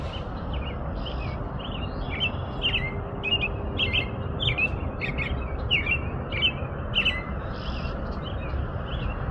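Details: American robin song: a steady series of short caroling phrases, each a slurred up-and-down whistle, delivered one after another with brief gaps, over a constant low background hum.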